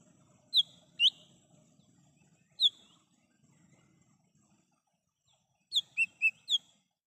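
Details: Wild lesser green leafbird, recorded for use as a trapping lure: scattered sharp whistled notes with long pauses, then a quick run of four clear whistles at the end, faint background hum underneath.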